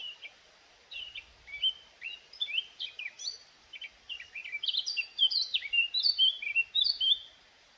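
A Eurasian blackcap sings a rich, fast warble of varied notes that grows louder and ends in clear, fluting whistles.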